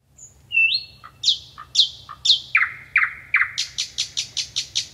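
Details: Common nightingale song, a European bird: a thin whistle and rising note, three buzzy down-slurred notes, three lower repeated notes, then a fast run of about eight sharp high notes.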